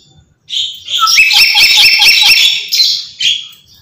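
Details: Black-capped lory, described as screaming nonstop and as a lively, talkative bird: a loud, harsh, buzzy screech of about three seconds, made of rapid rasping pulses with bright overtones, followed by two shorter squawks.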